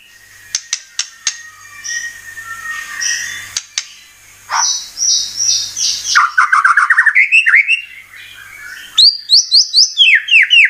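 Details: A white-rumped shama sings a lure song to provoke caged birds. It begins with scattered sharp clicks and soft tones, moves into high whistled phrases and a rapid chattering run of rising notes, and ends with bright looping whistles.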